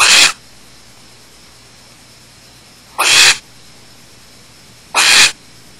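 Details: Barn owl at Starr Ranch on June 30, 2010, 9:27 PM, during a nest visit in which the male mated and likely delivered prey, gives three harsh, hissing screeches, each under half a second, spaced two to three seconds apart against a quiet background.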